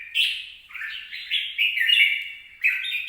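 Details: Red-whiskered bulbul, 26 April 2022, giving a continuous run of rich warbling chirps that rise and fall in short linked notes, with a fresh loud phrase starting near the end.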